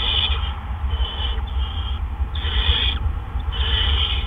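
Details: Barn owls at a nest on an April 2013 evening around 8 PM, as two adults deliver gophers one after the other: rough hissing screeches in three long bursts, about a second each, over a steady low hum.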